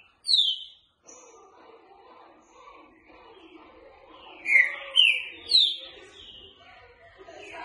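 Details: Green-winged saltator, boca mole style for training: a lone high whistle, several quiet seconds with low murmurs, then a three-note rising whistled phrase.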